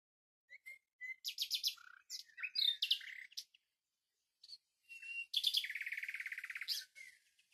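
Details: Varied common nightingale song: scattered short chirps and quick note clusters, then a long, rapid, even rattle-like trill of repeated notes lasting over a second before fading.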